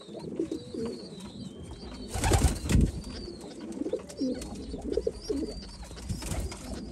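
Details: White homing pigeons give deep, throaty, rolling coos in short bursts, broken by a loud flurry of wing flapping. High, faint chirps from other birds sound in the background.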